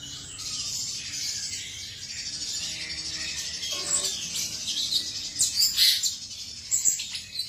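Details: Male cucak cungkok song as a bright, high chattering warble, continuous and busy, with sharper squeaky bursts later on and a low hum beneath.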